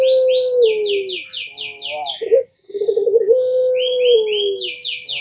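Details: Puter pelung collared dove, whose calling sets other birds answering: a long, steady, low coo that bends downward, with a bubbly break mid-clip, while bursts of bright, rapid, descending chirps from other birds come before and after it.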